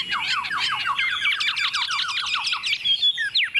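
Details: Tame Chinese hwamei on a table, singing confidently: a rapid, harsh series of downward-sweeping notes over a raspy background, ending in a few thin whistles.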